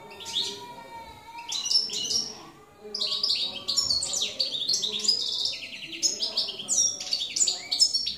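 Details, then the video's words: A field goldfinch, or jilguero campero, recorded in 2017, sings a liquid, twittering run of high chirps and trills that grows denser after a short, quieter opening. "jilguero campero 2017"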